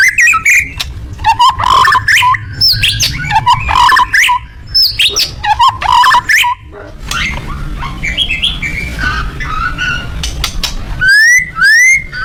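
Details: White-rumped shama giving a loud song: a rich, varied stream of whistled phrases, fast chattering notes and sharp rising slurs near the end, so loud it is clipped. A low hum runs underneath.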